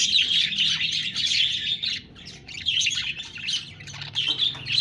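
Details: Budgies warbling in long, scratchy phrases of high chirps that fade briefly around two seconds and four seconds before the chatter picks up again.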